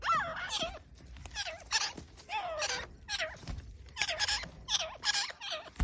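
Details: Grey francolin giving a long, steady series of loud, raspy notes, each with a falling then rising inflection. The notes repeat about twice a second and grow denser toward the end, with faint low knocks beneath.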